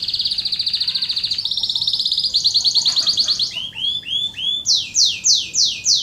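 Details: Canary song used as lure and training audio for contest birds and young birds: rapid high buzzy trills that shift through several tours, then slower repeated swooping notes at about three per second.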